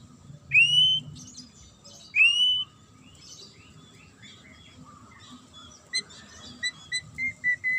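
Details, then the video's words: Sharp magpie-robin song used to make other birds respond: two loud clear slurred whistles, then softer varied twitters and a run of short repeated high notes toward the close. "DIJAMIN Langsung NYAUT dan NGAMUK Pake Suara TAJAM Murai ini"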